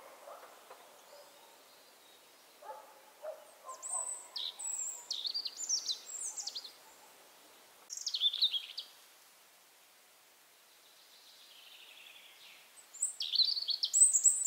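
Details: A European robin in late April in Berezinsky Reserve, Belarus, sings short, varied phrases of thin high whistles and quick trills, separated by pauses, with a few lower notes early on.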